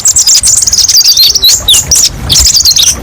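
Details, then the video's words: Kolibri ninja twittering in short, rapid, high-pitched trills with quick wavering and slurred notes, two busy bursts separated by a brief pause, sung as masteran material with varied sharp phrases. "TERAPI BURUNG KOLIBRI NINJA: BANYAK VARIASI TEMBAKAN PEDES & MASTERAN KONIN PALING DICARI"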